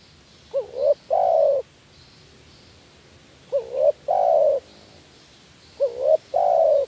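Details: Lure call of a spotted dove, meant to rouse reluctant doves: three matching phrases, about two and a half seconds apart, each a hooked rising coo followed by a longer, level, mellow coo, with faint hiss.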